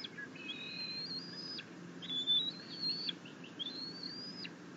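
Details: Happy bald eagle eaglet being fed fish by its mother at the nest, June 2021, chitters in long, thin, high whistled notes that climb and hold steady, then drop off abruptly, three drawn-out phrases over a low background hum.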